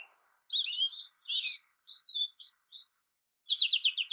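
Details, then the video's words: An American goldfinch sings sweet, wavering, slurred high notes, a few thinner whistles, then a quick, evenly spaced series of sharp chips. "American goldfinch Bird Sound, Bird Song, Bird Call Bird Calling Chirps, Birds Chirping Melody"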